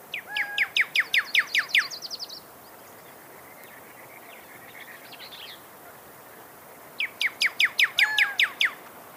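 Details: Pyrrhuloxia song in two bursts: each is a fast string of about eight to ten loud downslurred whistles, with a thin trill and quiet chips between and steady background hiss.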